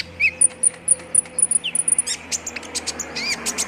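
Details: Olive-backed sunbird sounds used as a lure to get birds singing quickly: very high, thin chips repeated in a quick series, with short rising and falling sweeps and brief twittered notes, over a faint low hum.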